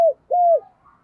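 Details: Spotted dove kept as a decoy bird, calling to lure wild doves: a short cooing note, then a longer level coo that falls at the end, low and mellow, with a quiet room behind.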